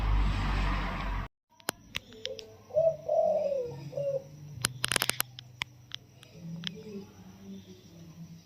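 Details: Spotted dove, wild-caught and caged 16 days, giving a soft, sweet coo in the 'yon kuk diao' single-kuk style: a short rising-falling phrase of mellow notes after a burst of loud noise, with sharp clicks and low hum.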